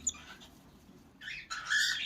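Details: Cockatiel at its nest in the morning as the father bird feeds a chick: harsh, raspy squawking bursts that grow louder over the last second, after a quiet start with a faint chirp.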